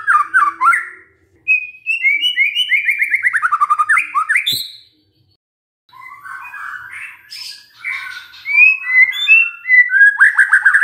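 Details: Magpie-robin song serving as a lure for a silent bird: quick whistled notes, a long descending warbled run, a pause, then softer chattering that builds into loud varied whistles.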